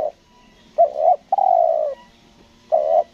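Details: Spotted dove used as a trapping decoy on Lombok, cooing 'selang nguku gagap' style: a stuttering double note, a long steady coo, then another short coo begins.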